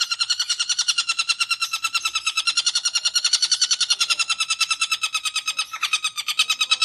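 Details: Long-tailed shrike in full ngekek style: a fast, even run of harsh rattling notes, about three per second, sustained throughout without pause.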